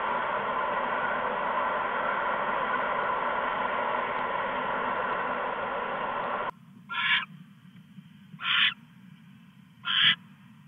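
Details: Owls on a live camera at 2:34 AM on August 22, 2015, the male delivering a mouse to the female. Several seconds of loud rushing noise give way to three short harsh hissing calls about every one and a half seconds.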